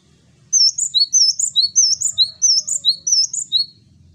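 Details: Male Java sparrow in full, lively song: a rapid run of about fourteen sharp, high, tinkling notes alternating in pitch, delivered over about three seconds against a quiet background.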